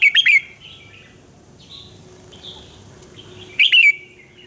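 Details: Red-whiskered bulbul singing in the morning, a fiery-style song kept as a lure for training other bulbuls: a quick burst of bright whistled notes opens, a softer warble follows, and another loud whistled phrase comes near the end.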